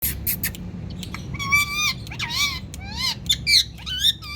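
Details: An Indian parrot calls "Mithu": a few sharp clicks, then a quick run of squawky, bending notes, some shaped like the spoken word.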